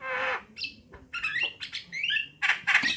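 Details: Female and male Javan mynas singing, opening with a long harsh rasp, then varied clicks, chatter and a clear whistled phrase before loud grating squawks at the end.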